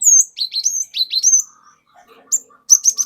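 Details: Forest-caught cinereous tit in a lure song to provoke other birds: a strong run of high whistles with swooping down-slurs, followed by quieter lower chatter and a brief burst of high notes.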